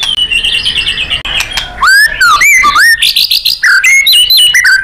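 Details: Murai batu, the white-rumped shama, singing in full-power 'nembak' style as a training recording for contest songbirds: clear whistled swoops, sliding up and down, mixed with quick high chips and rapid trills.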